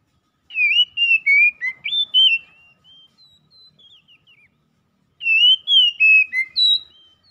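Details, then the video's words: Oriental magpie-robin song played to help a stressed, silent bird recover and start singing again: rapid sweeping whistles, then soft scratchy notes, then a second burst of loud rising and falling whistles. "OCEHAN MEMPERCEPAT PEMULIHAN KACER SETRES MACET BUNYI LANGSUNG GACOR"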